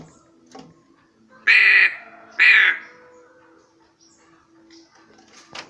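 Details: Black crow kept as a pet; two loud raspy caws about a second apart, with a faint steady hum and soft clicks.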